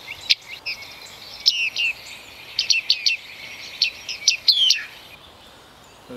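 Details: Bearded tit calls: short, bright, ringing pinging notes, singly and in small clusters of two or three, spread irregularly over several seconds, with steady background hiss.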